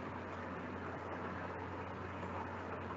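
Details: Steady broadband rumble and hiss like passing traffic or a vehicle, with no animal voice heard.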